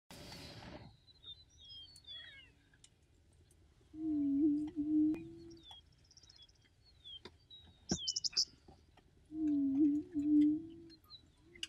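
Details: Attwater's prairie-chicken booming on coastal prairie: two low, hollow, steady hooting booms about five seconds apart, each lasting roughly a second and a half, with scattered high chirps and thin whistles from other birds.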